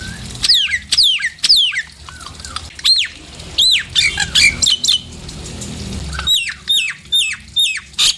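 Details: Nias hill myna calls used as a lure to provoke other mynas into singing: loud whistled notes sweeping steeply down, in quick pairs and runs, mixed with short harsh squawks and a brief low whistle.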